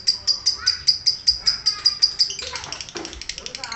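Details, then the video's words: Lovebird calling in a run of quick, high, clipped chips, evenly spaced, breaking after two seconds into a louder, rougher burst of scratchy chatter. "Cek - cek cer Lovebird langsung ngekek"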